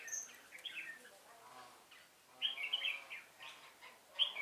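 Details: Red-whiskered bulbul used as a lure bird for trapping, recorded 1 November 2017: short bursts of bright warbling, chirpy phrases at intervals, faint background murmur between phrases.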